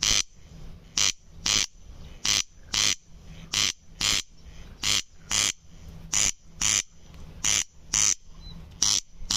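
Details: Corn crake giving a dry, rasping double call: harsh broadband bursts in pairs, each pair repeated about every 1.3 seconds, steady and mechanical against a quiet background.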